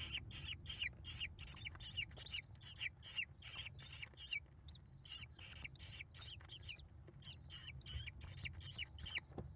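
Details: Five American kestrel chicks fed by their mother, 28 May 2021: clusters of rapid shrill squealing notes with downward-curving ends, broken by a short pause, then resuming loudly.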